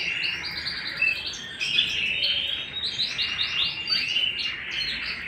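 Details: Canary singing at home: a dense, rapid warbling song of trills and bright chirps with quick rolling phrases, continuous throughout and lightly rising and falling in loudness.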